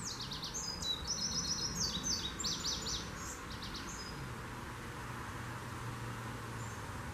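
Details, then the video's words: An Indigo Bunting sings at Shermerhorn Park, Kansas, on 6/2/19: a bright, high phrase of quick paired notes that falls off after a few seconds, over a steady low rumble. "Indigo Bunting Song"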